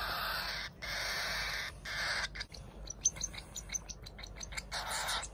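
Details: Begging cockatiel chicks during hand-feeding, two captive siblings: long harsh wheezing cries at first, then a string of short, sharp peeping notes as they snatch at the food.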